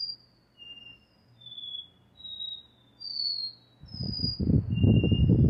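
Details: Double-collared seedeater singing its classic repeating song, a chain of pure whistles stepping up and down in pitch; partway through, loud low rumbling and knocking noise rises beneath the whistles.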